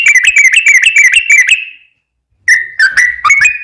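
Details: Sooty-headed bulbul in long ropel lure song for other bulbuls: a quick chain of bright whistled notes about three a second, a pause, then steadier sustained whistles with sharp accents.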